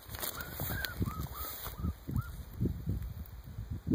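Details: Young Mearns (Montezuma) quail chicks in Arizona, 2014, trying to flush on new wings during an archery deer hunt, give about six soft, arched peeping whistles in quick succession, over heavy low thumps, rustling and a steady high whine.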